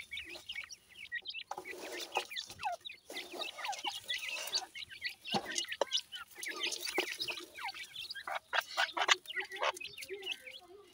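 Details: Grey francolin (teetar) chicks while feeding: a dense chorus of high, thin cheeps and downslurred chirps that overlap continuously, with brief louder bursts and a faint background hiss.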